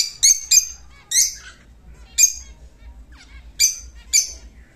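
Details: Pet lutino lovebird singing in Muzaffarpur, Bihar: six shrill, squeaky chirps in irregular bursts over about five seconds, with a low background hum.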